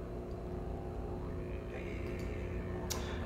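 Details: Droning music with sustained low tones and a brief bright burst near the end; no animal call stands out.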